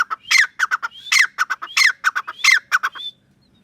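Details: Grey francolin in a loud, rapid run of harsh, squealing notes packed into repeated phrases. The run ends abruptly after about three seconds.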